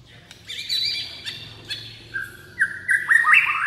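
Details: White-rumped shama singing a stirring song of many phrases: thin high notes at first, then loud clear whistles that step upward in short rising and falling slurs, with a soft low hum underneath.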